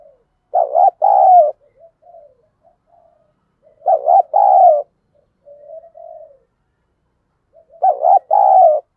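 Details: Decoy spotted dove in Vietnam, its 'thổ' voice provoking wild doves to fight: three loud phrases of a quick coo and a longer coo, roughly every three and a half seconds, with faint murmured notes between.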